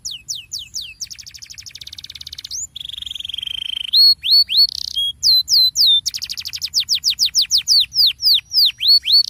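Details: Lure song of a canary, rolling (ngerol) to prompt less vocal canaries to join in: fast trills, a sustained rolled tone, then loud repeated downslurred whistles in quick regular series, continuous and energetic.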